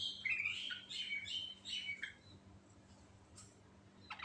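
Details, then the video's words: Sooty-headed bulbul in vigorous natural song full of varied phrases: a quick run of bright, warbling whistled notes for two seconds, then quieter background with a faint chip near the end. "Suara Burung Trucuk Alami Ngerol Gacor Full Isian"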